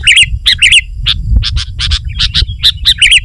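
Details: Dense sooty-headed bulbul chatter for luring wild birds and pressing an opponent: rapid, ringing, twisting chirps in close pairs over a steady low background rumble.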